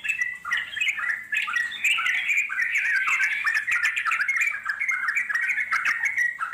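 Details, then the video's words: Yellow-vented Bulbul from the wild giving ngeropel panjang, a long unbroken chattering song: rapid, liquid, gurgling notes strung together almost without a gap, loud and steady throughout. "puterin suara trucuk alam di jamin lasung nyaut NGEROPEL PANJANG"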